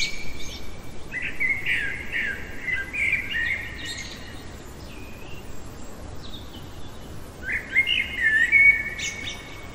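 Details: Common blackbird singing at night: a rich, flowing warbled phrase of whistled notes lasting several seconds, ending in a squeaky flourish, followed by silence and then a second, shorter mellow phrase; soft hiss throughout.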